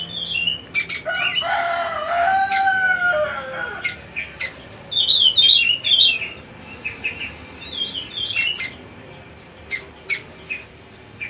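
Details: Cucak rumbai song for luring young birds: a lower slurred descending warble in the first seconds, then high quick whistled flourishes and a scatter of short clipped chirps.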